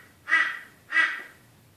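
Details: Two loud, hoarse caws about 0.6 seconds apart, each brief and harsh, given by a crow attacking its own reflection.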